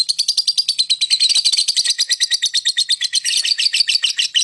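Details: Lovebird singing and chirping, used to lure other birds into calling; a rapid, unbroken series of high, buzzy chirps repeated about three times a second throughout.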